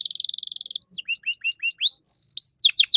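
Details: Canary song used as a training recording for caged songbirds, in an ornate style: a fast even trill, then rising and falling whistled notes repeated about every quarter second, a long steady whistle and quick chips to finish.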